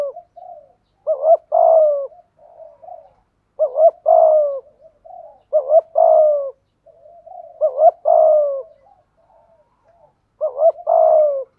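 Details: Spotted dove of Malaysian type in a sustained thúc gù cooing bout. Five phrases each combine a wavering double note with a long falling coo, with quiet soft notes filling the gaps between them.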